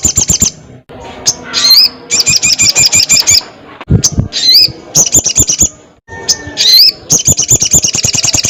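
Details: Crested jay giving loud calls toward a rival: repeated rapid high rattles alternating with rising whistled notes, plus scattered clicks and low background noise.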